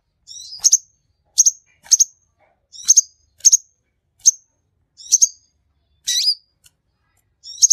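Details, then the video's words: Energetic sunbird (kolibri) singing: a steady run of brief, high, sharp double chirps with buzzy edges, repeated roughly every half to one second, with one longer scratchy note near the end and no other sounds. "MASTERAN KICAUAN SANG KING KONIN GACOR"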